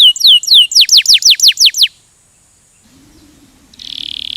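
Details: Canary song meant to make other canaries sing: a string of loud, rapid downslurred whistled notes, about a dozen, then a pause and the start of a buzzy high trill with faint low hum beneath.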